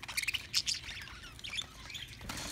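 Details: Two pet budgerigars eating millet; quick high chirps clustered in the first second, then softer scattered twitters, with faint room noise behind.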